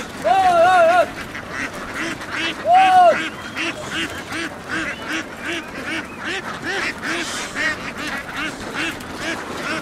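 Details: A laying-duck flock in Vietnam, moving across fields and onto a boat, with two loud drawn-out nasal quacks early on standing out above a soft, steady stream of lower quacking from the rest of the birds.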